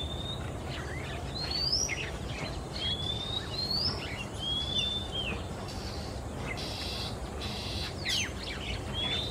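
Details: Male Oriental magpie-robin in Singapore, singing verses punctuated with screeches while moving between perches in the afternoon; bright up-slurred whistles about every second, then a harsh broadband screech and more whistles, low background noise throughout.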